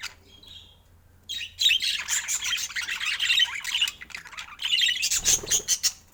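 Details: After a quiet start, pet budgerigars break into rapid high chirping and scratchy warbled chatter, with a brief lull before a second busy burst.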